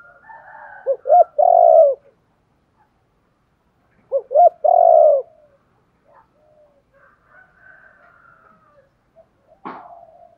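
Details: Spotted dove calling, used to stimulate wild-caught birds to call: two loud cooing phrases about three seconds apart, each with short rising notes and a long burry coo, then faint softer coos and a sharp click.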